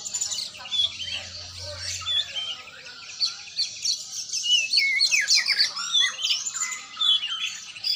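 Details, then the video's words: Oriental magpie-robin in training, singing a rich, varied run of whistled and scratchy phrases, quick slurred notes and trills tumbling between high and mid pitch with short pauses; faint low hum in the background early on. "latihan burung kacer"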